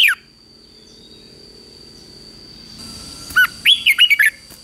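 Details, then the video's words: Morning song of a red-whiskered bulbul, played as competitive training to rouse wild-caught birds. A short downslurred note at the start, then after a quiet spell a lively phrase of about six warbling, looping whistles. A constant faint high hum runs throughout. "Luyện chào mào hót sáng | chào mào hót đấu"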